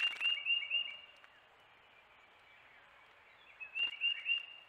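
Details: Several wrens at a bird bath give quick series of sharp, high chips, one burst at the start and another near the end, separated by a quiet stretch with faint chirping and a splash.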